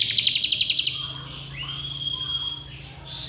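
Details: Bar-winged prinia song in 'ngebren' style: a brisk run of about ten sharp high ticks, then a long, flat, thin whistle before a brief noisy burst at the end.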